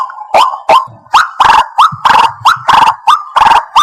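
White-breasted waterhen giving loud, harsh croaking notes, each with a slight upward inflection, repeated about three times a second. No other clear sounds are heard.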